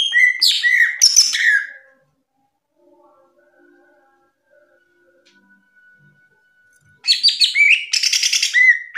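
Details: Cucak ijo in ngeplong gacor song, kept as training material for other birds: two bouts of rapid, varied whistling and chattering with a long quiet gap between them, the second bout dense and twittering.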